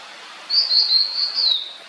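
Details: Blue-and-white flycatcher giving one clear whistled phrase, about 1.3 seconds long, held at a high, nearly steady pitch with slight wavering and three gentle swells in loudness. Quiet background.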